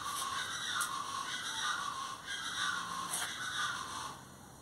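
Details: Plain chachalacas giving rough, scratchy, overlapping calls in a continuous noisy chorus, with sharper peaks near the start and after three seconds, then fading toward the end.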